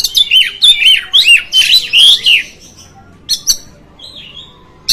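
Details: Kacer (oriental magpie-robin) singing to provoke fellow magpie-robins: a two-second flurry of looping whistled notes rising and falling, then near silence broken by two sharp chips and a soft drawn-out whistle.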